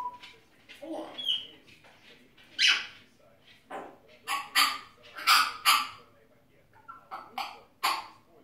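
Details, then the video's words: Talking grey parrot producing rapid speech-like bursts, harsh clicks and squeaky whistles, a clear tonal whistle early on, then a run of loud staccato syllables in quick succession. "Жако разговаривает"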